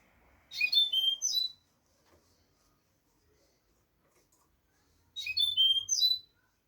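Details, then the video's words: European goldfinch singing, recorded as tutoring material for young goldfinches: two quick twittering bursts about four seconds apart, each a fast jumble of chirps and short high whistles ending in a bright trill, with near silence between and faint low rumble. "audio pará educar a los jilgueros sin errores |كيفية تعليم طيور الحسون نظيفة بدون عيوب"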